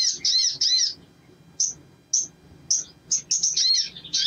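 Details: Crimson sunbird, used as a lure recording to get other sunbirds singing: thin, very high, sharp chirps and twittering bursts, short notes spaced irregularly with a few rapid chattering runs.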